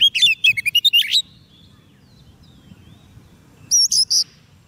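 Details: Oriental magpie-robin fed on soft food, singing to call in wild birds: a burst of rapid, high whistled and buzzy notes, then a pause and a short run of high clear whistles near the end.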